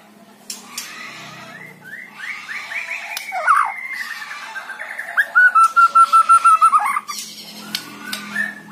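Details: White-rumped shama song played to stir a lazy bird into singing: scattered whistles and sliding notes, then a fast train of about ten clipped, even notes near the end, with faint background noise.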